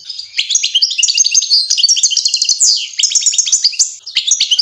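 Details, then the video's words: Song of a European goldfinch heard as fledglings learn to eat: rapid liquid twitters and chattering trills delivered almost nonstop, with one sharp downward slurred note midway and a brief pause before the final burst. "Щеглята учатся кушать под песню щегла"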